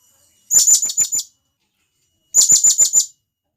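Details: A wild blue-crowned hanging parrot from the rainforest calls companions. Two rapid strings of five or six sharp, thin, high-pitched chirps are separated by a second or so of quiet.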